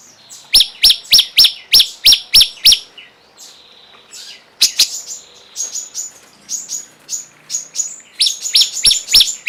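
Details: Cungkok singing as a training recording for songbirds: sharp, high chirps repeated quickly in a regular string, then a pause and a looser, varied series of thin chips and short whistles that grows denser toward the end.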